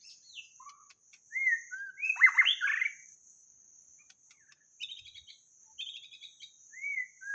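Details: White-rumped shama singing, recording used for luring: separate phrases of sweet slurred whistles, a loud rich descending flourish, then quieter high double notes and a final clear whistle, with a continuous high hum throughout.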